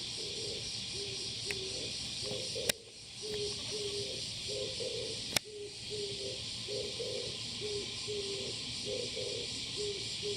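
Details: Male Oriental turtle dove recorded on 21 July 2022, uttering a continuous series of soft, deep hooting coos in rhythmic groups; two sharp clicks interrupt, and a dense high insect chorus fills the background.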